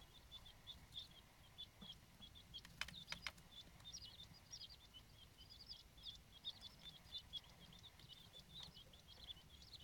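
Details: A brood of king quail chicks hatched 16–18 May peeping nonstop, thin high cheeps overlapping several times a second, with a few soft clicks and light background hiss.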